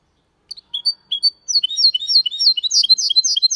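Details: Hybrid of goldfinch and canary delivering a clean, elegant Malaga-style song: a few spaced high chirps that speed into a dense, continuous stream of bright twittering notes.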